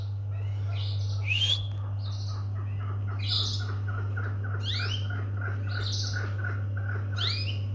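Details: Domestic canaries calling repeatedly, a series of short upswept whistled notes every second or so, mixed with rhythmic chirpy clicks and a constant low hum.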